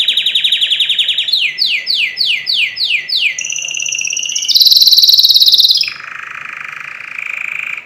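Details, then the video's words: Canary song for tutoring birds: a rolled trill, then a series of repeated falling whistled slurs about two per second, a very high bright trill, and a lower, softer rattling roll. "أقوى تغريد كناري لتسميع الطيور"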